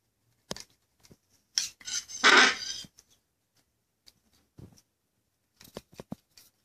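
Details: A baby macaw being hand-fed gives a harsh, raspy, gurgling begging squawk lasting about a second, with soft clicks and brief scratchy bursts around it.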